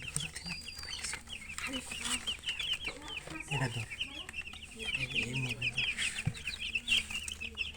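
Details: Steady stream of short, high chicken chirps tumbling one after another, with occasional soft low clucks and faint background noise.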